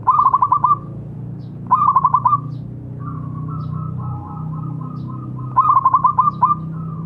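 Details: Local zebra dove, a prolific singer, used to coax silent doves into singing: three quick rattling phrases of five or six soft cooed pulses, with faint drawn-out tonal notes between them and a low background hum.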